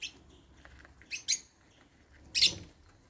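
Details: African lovebirds, caged, chirping at meal time while eating holy basil: short, shrill bursts of chirps, a pair of quick notes early on, then one louder harsh chirp after a pause, with faint background noise.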